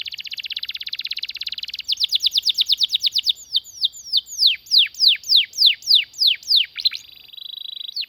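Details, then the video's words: Canary song for tutoring and luring other canaries to sing: a fast buzzing roll, then a long run of falling whistled strokes that slow and deepen, ending in a quieter rapid trill. "BURUNG KENARI GACOR NGEROL PANJANG UNTUK MASTERAN KENARI DAN PANCINGAN KENARI AGAR BUNYI GACOR"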